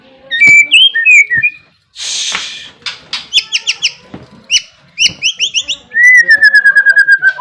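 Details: Energetic song of a caged white-rumped shama (murai batu Barbara): varied whistled phrases with sharp up-slurs and a harsh raspy burst, ending in a long descending whistle laced with rapid high ticking.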